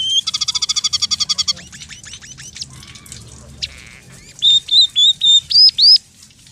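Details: Singing scaly-breasted munia with fill-in phrases of house sparrow, red siskin and canary: a quick, steady, high-pitched trill, scattered chirps and a short buzz, then a string of loud, clear, rising whistles.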